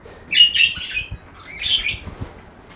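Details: Budgie chirping in two bright, buzzy phrases, each about half a second long, separated by a short gap.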